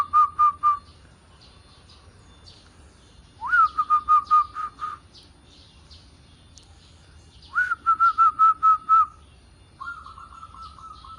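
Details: Zebra dove song: four phrases spaced a few seconds apart, each a brief upward-sliding whistle followed by a rapid string of mellow, staccato cooing pulses on one pitch. There is a faint low hum beneath.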